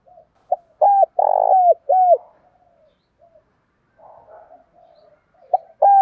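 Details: Spotted dove calling to stimulate a male into cooing: a quick burst of short, low, hooked coos, then a pause with soft murmuring notes before the coos resume.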